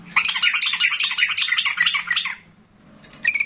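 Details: A loud, chatty yellow-vented bulbul, provoked into emotional calling, pours out a fast, continuous warbling chatter for two seconds. A short silence follows before another note begins.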